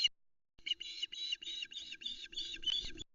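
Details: Osprey female calling loudly from her nest at Loch Arkaig as her mate delivers a second fish, a live mackerel, 26 Aug 2020, afternoon, nest camera. A brief note is followed by a run of about nine quick, evenly spaced whistled yelps.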